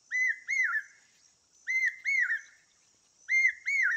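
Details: Asian koel calling, a loud whistled arched note given in quick pairs, each pair repeated about every one and a half seconds, with a steady thin high whine running underneath throughout.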